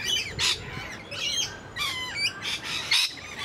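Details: Captive rainbow lorikeets at Paradise Country Wildlife/Zoo give a rapid series of harsh squawks mixed with bent, whistled notes, several bursts a second from more than one parrot.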